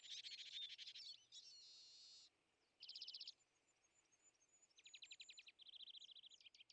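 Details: European greenfinch around winter feeders, aggressive toward tits, sparrows and nuthatches; a dense buzzing burst, then a long flat nasal wheeze, followed by several fast rattling trills separated by quieter high twitter.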